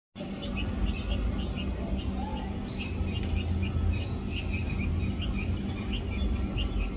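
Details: Red-vented bulbuls, a baby with its parents, give quick, high chirps repeated throughout, with a few slurred, falling whistles, over a steady low rumble.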